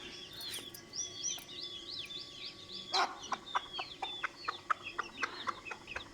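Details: Hen calling her chicks, opening with chick peeps, then a loud broadband squawk followed by an even train of short clucks roughly every third of a second amid ongoing peeping.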